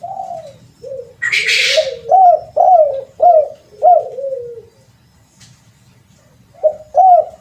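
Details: Lure call of a spotted dove, a run of low hollow coos with rising-falling notes about twice per second, a short burst of broadband noise early on, a quiet gap, then two more coos.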